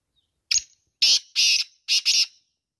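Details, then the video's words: Female black francolin (kala teetar) calling: a short click-like note, then three harsh, buzzy, hissing notes, the last two close together as a pair, in a quiet background. "Black Francolin sound | kala teetar ki awaz Partridge Voice"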